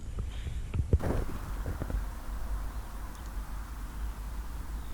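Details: Steady low wind rumble with brief handling and footstep-like knocks near the start, and no animal voices, on the edge of Kinder Scout during wild camping.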